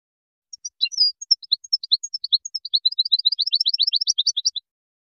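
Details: Moroccan goldfinch singing the widani composition, recorded 2019: scattered high chirps build into a fast, dense, rhythmic twitter of about two to three notes per second and more, ending abruptly.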